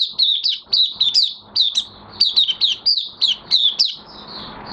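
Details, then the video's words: Song of a caged Oriental white-eye in minor moult, 3 June 2022: a steady stream of high, thin, twittering notes, each dropping slightly in pitch, repeated several times per second with little pause. "Mata Puteh Kitaro V1 buka sing"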